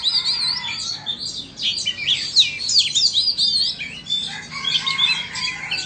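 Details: In a song contest between a Vietnamese and an Indonesian Oriental magpie-robin, fast, sweeping whistles and squeaky, chattering notes tumble over each other in loud bursts separated by brief quieter gaps.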